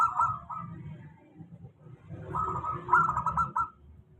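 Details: A local zebra dove sings a stable lure song for doves that sing little: two bubbling, trilled coo phrases over a steady low hum.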